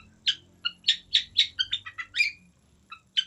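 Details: Long-tailed shrike song: a loose series of short, sharp, high chirps and squeaky notes, some doubled, delivered in quick bursts with brief pauses and two isolated notes near the end.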